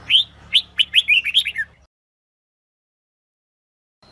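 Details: Female red-whiskered bulbul voice played to stimulate males into song: a rapid tumbling series of about nine sharp slurred whistles, descending toward the end, over low hum, then silence and a final note.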